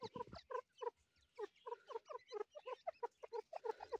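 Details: Young grey partridge producing clipped, evenly spaced, down-slurred notes about four per second, rich in overtones, after a brief pause near the start.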